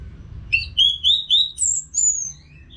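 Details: Orange-headed thrush from North Bali singing steadily, a training sound for caged birds: a clean series of about five rising and falling whistled notes, the last ones higher and thinner, in a quiet setting.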